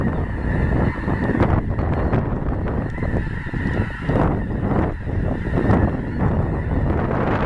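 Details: Snow geese flocks migrating through central Illinois at Clinton Lake in a February blizzard, recorded close by; a continuous chorus of overlapping nasal honks from a large flock, with strong wind roaring underneath.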